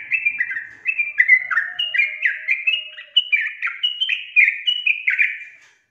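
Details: Sooty-headed bulbul song used as a lure to get lazy birds singing: a rapid string of short bubbly whistled notes dropping from high to lower pitch, repeated continuously, with a faint low hum beneath.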